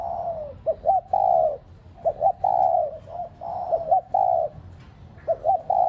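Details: A spotted dove (cu gáy), kept as a decoy to stimulate other doves to coo. Rhythmic phrases of two quick notes, then a long level-to-falling coo, repeated about every one and a half seconds.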